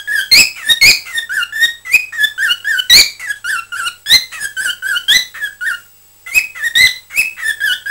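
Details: Pet cockatiel chattering, recorded 20 December 2007: a fast, continuous stream of short chirpy and warbled notes with squeaky overtones, broken by one brief pause before the chatter resumes.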